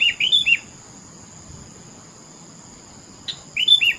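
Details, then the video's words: Melodious song of a sooty-headed bulbul, known locally as kutilang: a short run of bright, rising and falling whistled notes, then a silent gap, then another brief whistled phrase. "Suara burung Kutilang TOPCER merdu sekali"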